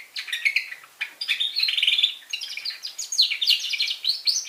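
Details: Young red factor canary singing indoors, a rapid twittering warble of fine chirps and short trills, rising and falling in quick bursts with brief pauses between phrases.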